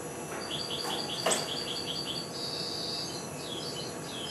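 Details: Four-month-old goldfinch hybrid just starting to sing: a thin series of repeated high chirps, then a sustained whistled note and descending slurs, over a steady hiss of background noise.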